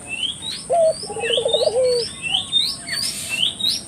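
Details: Spotted dove used to stimulate local doves to call, giving one low phrase of a clipped note and a quavering trill ending in a falling coo, while thin rising whistles from other birds repeat throughout.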